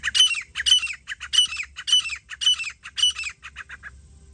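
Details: Grey francolin, known locally as jungli teetar, recorded during partridge hunting: loud, harsh, squawking notes in a fast series of about two per second, each rasping and bent in pitch, trailing off into shorter, fainter notes at the end.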